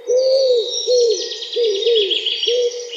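Low, soft coos from a wood pigeon, each note rising and falling, repeated about every 0.8 seconds, while smaller birds chirp and trill higher up.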